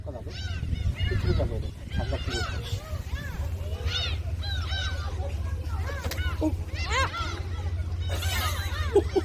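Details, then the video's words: At Jebudo, gulls being fed shrimp crackers keep up a stream of squealing, down-curving cries from many birds, over a steady low engine drone and occasional voices. "제부도 갈매기"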